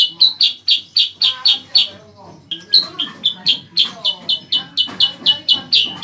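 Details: Cicak kurincang, known as bayeman, singing actively as master song for training competition cage birds: a rapid, regular string of sharp chirped notes, pausing briefly midway before carrying on at roughly four notes per second.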